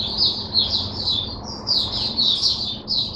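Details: Oriental white-eye kept in a cage, dated 5 May 2022, giving a high, fluid warbling song of slurred notes in short rippling phrases over soft background hum.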